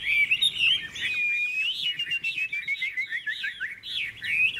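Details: {'caption': 'Caged hwamei with bright golden plumage and a big tail, singing in a song contest: a rapid, continuous run of rich, warbling whistles that rise and fall, with loud, bubbling phrases tumbling one after another.'}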